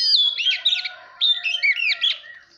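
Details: Oriental magpie-robin song used to spur competitive singing and coach young birds: two rich whistled phrases with swooping, looping notes, separated by a brief gap, with a faint steady tone underneath.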